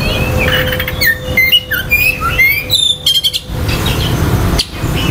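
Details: Oriental magpie-robin song meant to quickly stir other magpie-robins' aggression and breeding urge: varied whistled notes and sliding phrases, some rising, in bursts between 1 and 3.5 seconds, over a steady low rumble and a faint hum.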